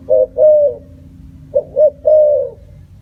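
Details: Two phrases from a spotted dove, each brief low notes leading into a long, level, slightly falling coo, soft and hollow in tone.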